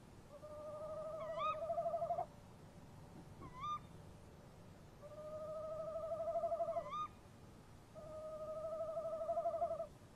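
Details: A male and female tawny owl call back and forth near their nest box in the small hours of 23 March 2015. Long, wavering, slightly rising hooted trills alternate with short, sharp, upward-hooked calls, repeating about every two to three seconds.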